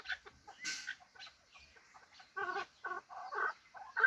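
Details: Hybrid fighting chukar partridge calling: a few faint scattered notes, then a run of loud, harsh, stacked chuck notes in quick succession over the second half, ending on a sharp higher note.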